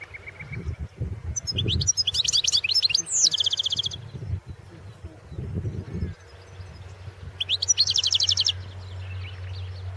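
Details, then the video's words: Goldfinch competing in the 2016 world championship of goldfinch song: two separate bursts of high, rapid, metallic trilling with a quick descending slur, set against low rumbling background noise and a steady hum. "World championship in Goldfinch Song 2016"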